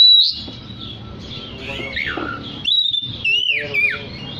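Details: Lively oriental magpie-robin song for calling other magpie-robins: sharp high whistles and long downward-slurred notes, then a clear level whistle and arching, descending phrases, with a hiss in the background.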